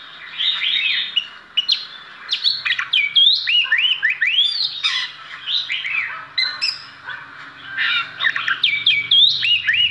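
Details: Performing Oriental magpie-robin, an ordinary bird praised for its unmatched song, pours out a dense stream of rapid downslurred whistles, sharp high notes and chattering phrases, almost without pause. A faint low hum sits underneath.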